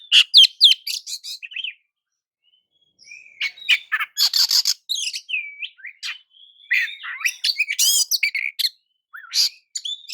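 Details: Oriental magpie-robin singing to provoke rival magpie-robins: varied bursts of sharp chirps and buzzy notes with clear whistled slurs, broken by a pause of over a second, then resuming in rapid mixed phrases.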